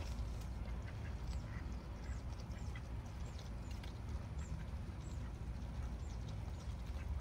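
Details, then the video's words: Ducks being fed give faint, scattered quacks, thin and half buried under a steady low rumble of outdoor noise. "Quack, quack, quack from different angles"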